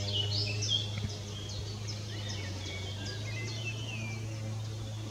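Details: Long-tailed tits at Spieckern, Beyenburg, Wuppertal, Germany, 2021, give thin, very high see-see notes and short falling chirps, several a second, over a steady low mechanical hum.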